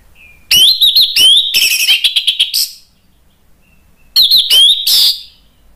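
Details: Orange-headed thrush lure song to stimulate other birds to sing: loud bursts of rich whistles mixed with rapid scratchy, buzzy notes, two phrases separated by a pause of about a second and a half.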